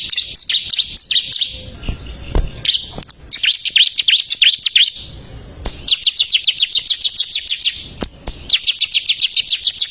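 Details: Energetic bar-winged prinia song for tutoring caged songbirds: several bursts of rapid high chipping, some varied and slurred and others steady, metronomic strings of sharp notes, separated by brief gaps with faint clicks and low rumble.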